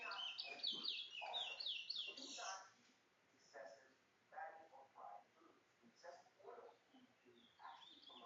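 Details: Bringle towa towa, the chestnut-bellied seed-finch of Guyana, gives a quick burst of tumbling, high, bright notes lasting about two and a half seconds. Quiet talking continues afterward.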